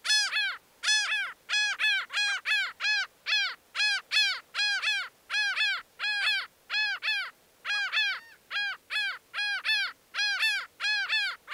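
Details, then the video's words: Laughing Gull giving a long, steady, unbroken run of nasal, arched, laugh-like 'kah' notes, about two or three per second, with no other sounds. "Sounds singing Laughing gull, sounds, singing Aztec seagulls"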